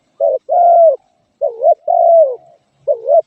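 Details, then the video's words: Spotted dove calling in a mellow low voice: short coo, longer down-sliding coo, then another short rising note, in a clean, quiet setting. "suab nquab lauj kaub tawg เสียงนกเขาใหย่"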